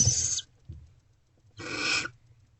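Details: Nest box barn owls during food deliveries at 2 am, 28 February 2024, produce two rough, airy screeches, the second longer and louder, separated by a pause with a faint knock.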